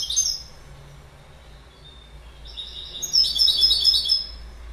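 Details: Goldfinch song: a brief high twitter at the start, then a quiet pause before a bright, rapid burst of tinkling, jangling notes that fades toward the end.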